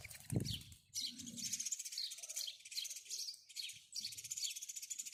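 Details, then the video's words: House sparrows chirp in fast, high, overlapping bursts after a low thump at the start, with some soft low rumbling beneath. "house sparrow chirping"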